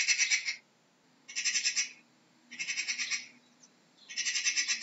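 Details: Magpie call made of four rasping, machine-gun-like rattles, each a quick run of harsh chak notes lasting about half a second, spaced unevenly with short pauses between.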